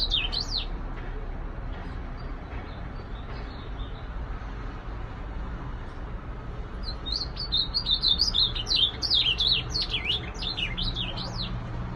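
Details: Ultramarine grosbeak giving a short whistled burst, then after a long quiet gap a rapid run of slurred warbling notes, under steady low rumbling traffic-like noise.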